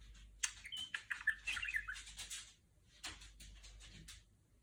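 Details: Pet budgerigar, a female kept indoors, chattering while mimicking R2-D2 from Star Wars: a quick burst of clicks, short whistles and scratchy notes, a brief pause, then softer ticking.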